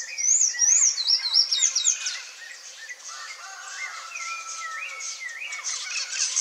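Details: Sayaca Tanagers visiting a yard in Brazil in search of food give thin, high squeaky chirps and twittering notes in quick bursts, busiest at first, then softer scattered calls over faint background noise.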